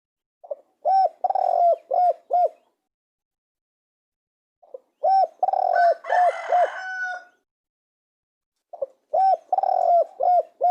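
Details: Spotted dove repeating its cooing phrase three times, about four seconds apart: low rounded coos with a drawn-out middle note. A raspy, noisy call overlaps the second phrase.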